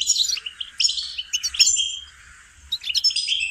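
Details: Goldfinch singing for training: quick chirps and a clear sustained whistle, then a quieter pause before the lively twittering returns.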